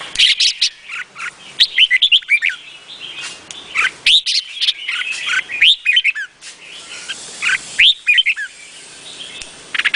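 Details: Vietnamese red-whiskered bulbul with a dense run of rapid, bubbly warbled phrases and sharp chirps, repeated in bursts about every two seconds, with other birdsong overlapping faintly.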